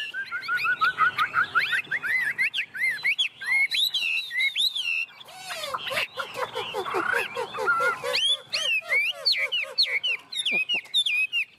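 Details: Hand-tame Chinese hwamei in 'ôm cống' song: a long, varied stream of whistled notes and sharp slurs, a rapid series of lower clipped notes midway, and a man speaking briefly.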